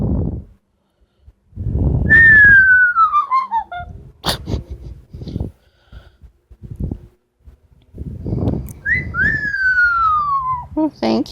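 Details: Pet female Amazon parrot at home whistling a long downward glide, then scattered clicks and breathy noises, later two rising-then-falling whistles and a squawk, with the owner speaking.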